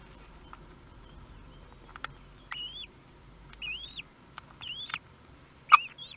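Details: Common kestrel nest in Théding, France, 18 May 2021, first chick newly hatched, recorded by nest webcam. A few arched, bending calls come among isolated clicks over a steady low background hum.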